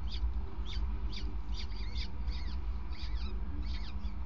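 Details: Peregrine falcon at the nest on 5 May 2019 around 20:54, as the male delivers prey on the grating. Sharp, chipping notes repeat roughly every half second, with a few wavering whines, over a low background drone.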